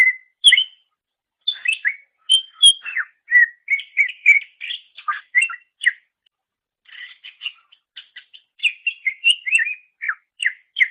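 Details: Master recording for songbird training of a greater green leafbird's song: a continuous stream of varied whistles, slurred downward swoops and short chips, with a brief pause midway before the lively medley resumes.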